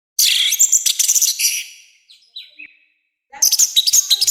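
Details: Orange-headed thrush giving loud, rough song meant for bird training: a dense high burst of scratchy notes and trills, some quieter slurred whistles, a pause, then another harsh burst.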